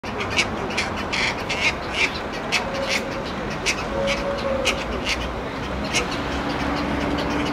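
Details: Cattle egret colony on Lanzarote in June 2019: short, harsh, croaking calls, about two or three a second, overlapping over a steady background murmur of the busy colony.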